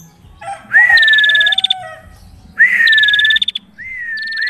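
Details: Chatty female prinia, densely calling: two phrases, each a rising whistled note swept into a fast, high, buzzy trill ending in loose ticks, then a third phrase starting, with a few soft lower notes before.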